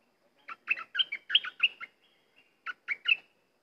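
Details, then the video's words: Cream-vented bulbul in lively chattering song, delivering a quick run of about seven bubbly, warbled notes, a short pause, then three more clear notes. "Burung merbah lekir bay hoach thom gacor"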